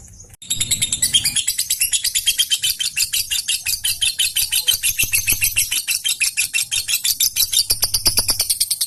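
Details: Caged fighter-type lovebird singing hard to set off other lovebirds, a long rapid stream of shrill, scratchy chirps pulsing about three times a second after a brief low thump at the start, with no other sounds.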